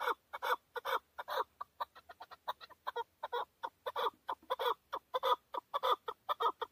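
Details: Male hunting-decoy chukar partridge in Tajikistan, 2020, calling a steady stream of loud, throaty chuck notes. The notes come in uneven bursts of two to four, sometimes quicker, with no break and no other sounds.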